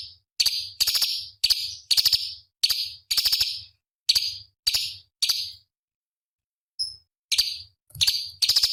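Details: Cucak cungkok, a small songbird used as master song for competition birds: a fast series of high buzzy bursts with ticking starts, roughly two a second, breaking off briefly before resuming.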